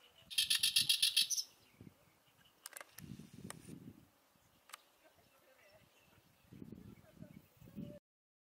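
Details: Oriental reed warbler (Acrocephalus orientalis), a summer visitor to Korea breeding in reed beds and lotus wetlands, sings a loud burst of harsh, grating, rapidly repeated notes.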